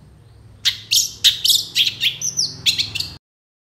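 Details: Long-tailed shrike, full isian lure song: a rapid series of sharp high chips and short buzzy notes, with a clean descending whistle woven in before it stops abruptly.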